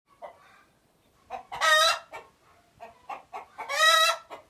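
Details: Chicken giving alert noises: a faint cluck, then several short clucks building into two loud, harsh, drawn-out squawks about two seconds apart, each lasting roughly half a second.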